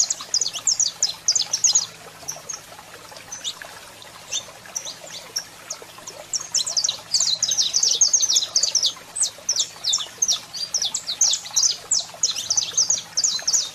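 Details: Saffron finch, male in song and female calling: an opening run of high chips, a quieter gap, then a long loud stretch of rapid chirped notes to the end.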